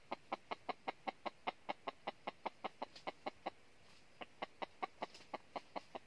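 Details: Red junglefowl used as a decoy to lure wild junglefowl into a trap in northern Vietnam: a steady run of short, sharp clucks, about two or three each second, with a brief pause near the end.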